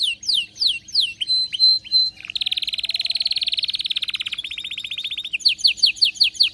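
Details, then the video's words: Excited canary singing: repeated falling sweeps, a steady held whistle, then a long rapid buzzy trill followed by a slower rolling trill, ending with a run of quick descending whistled notes. "غناء كناري هايج ومولللع"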